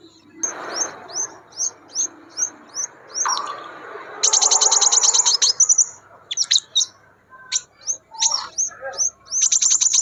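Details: Scarlet minivet singing in the wild: short, high, down-slurred whistles repeated about twice a second, broken by a dense, rapid, buzzy rattle, after which the whistled notes resume with scattered chirps.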